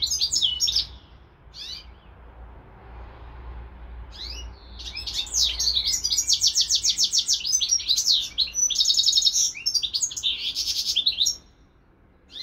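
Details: Pet European goldfinch sharing space with a hybrid bird; a few sharp chirps, a short lull, then a long lively phrase of buzzy trills and fast repeated notes.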